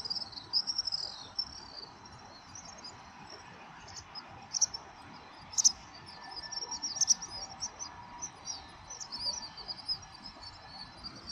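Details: A flock of house swifts flying at dusk over Surugadai, Tokyo, on a December evening in 2023; a high trilling background is punctuated by several sharp, loud screeching bursts, with city rumble throughout.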